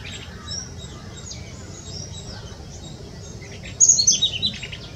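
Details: Territorial male blue-throated flycatcher singing at GKVK, India, giving a brief burst of high, sweet twittering notes near the end, over faint distant bird chatter and low background hum.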